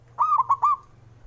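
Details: Single phrase from a male zebra dove, a call for rousing slow-singing doves: four swift, ringing coos run together in under a second over a low steady hum.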